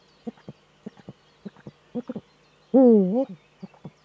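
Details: In a nesting niche in northern Rhineland-Palatinate, Germany, a male Eurasian eagle-owl courts on 4 May 2013, caught by a nest webcam. Spaced, deep, clipped hoots lead up to a single loud, wavering, falling-then-rising call near the end.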